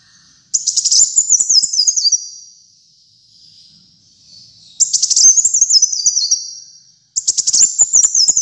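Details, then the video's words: Kolibri muncang sunbird singing strongly, recorded to coach captive birds. Three long, very high phrases of rapid, chattering notes cascade downward in small steps, separated by quiet gaps of about two seconds. "Kolibri Muncang Gacor Dor"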